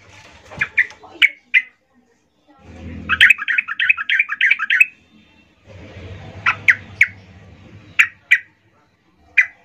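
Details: Female yellow-vented bulbul calling males, used to lure them: sharp chips in small groups, a burst of rapid wavering chatter, then more scattered chips, over intermittent low rumbling background noise.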